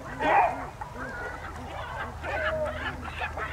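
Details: Great black-backed gulls give deep, hoarse, goose-like barking calls, several short notes overlapping in quick succession.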